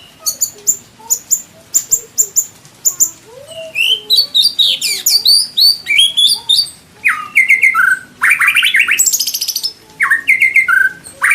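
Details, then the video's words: White-rumped shama from Indonesia, a master-training recording with rich fill-in material and full 'tembakan' bursts: fast chopped high notes, then looping whistled phrases and buzzy trills, varied and loud, with short pauses between bursts. "MASTERAN MURAI BATU ISIAN MEWAH MATERI FULL TEMBAKAN KOMPLIT TANPA BATUK BATUK"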